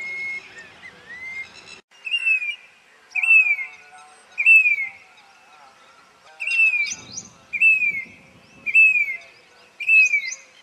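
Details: A grey-bellied cuckoo in Rajasthan, India, gives its plaintive call: short, clear whistled notes that slur downward, repeated about once a second, with a brief low rumble in the background.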